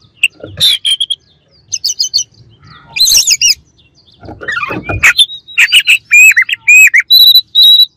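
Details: Oriental magpie-robin delivering rival song to provoke other birds, mixing harsh rasping notes and buzzy chatters with sharp, repeated high whistled upslurs near the end, fast and loud.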